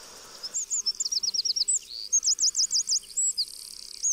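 Eurasian wren pouring out a fast, very high run of sharp notes, a rattling trill and a string of rising-falling chips, all in four seconds.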